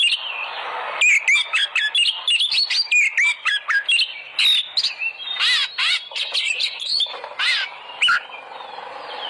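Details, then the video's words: Oriental magpie-robin song used as a lure to make caged birds sing loudly: a varied run of whistled slurs and rising notes, then harsh buzzy bursts and sharp chips in quick succession. "pancingan burung Kacer agar gacor"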